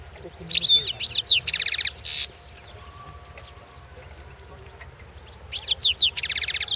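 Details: Competition recording of a European goldfinch from the 2016 world goldfinch song championship: a loud run of rapid high twitters and rattling buzzy phrases, a pause, then a further sparkling twittered phrase over a low hum.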